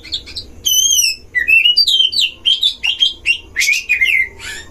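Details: Oriental magpie-robin singing at a breeding enclosure as a lure to provoke other magpie-robins: pure wavering whistles, some high and drawn out, followed by rapid varied chirps and a closing harsh note.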